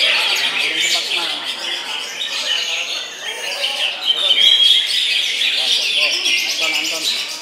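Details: Competition greater green leafbird at a songbird contest at Puspa Agro, Sunday 16 June, gives an unbroken stream of fast, high chattering and twittering with a clear whistled note partway through; other birds and faint voices mingle behind.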